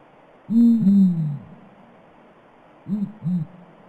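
Blakiston's fish owl giving very deep, booming hoots: a drawn-out double hoot, then a shorter, quicker pair about two seconds later, over quiet background hiss.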